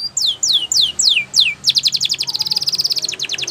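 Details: Canary song used for training other canaries: five clear down-slurred whistles followed by a very fast, even, rattling trill.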